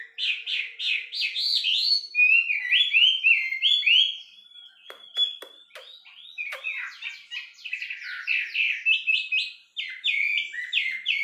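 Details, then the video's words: A wambi bird sings a fast, varied warble of high, chirping phrases with quick slurred and trilled notes, pouring out almost without pause, with a few faint clicks midway. "suara burung wambi"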